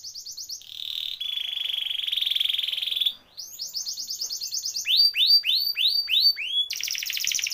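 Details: Canary singing a rolling song to tutor canaries that stopped singing: a short trill, a long buzzy roll, then rows of upswept notes and a final rapid high trill.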